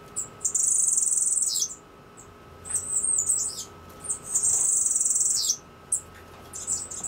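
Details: Cuban grassquit singing: two high, buzzy, insect-like phrases about a second long, each ending in a brief dip, separated by a few thin chirps; a faint steady hum sits underneath.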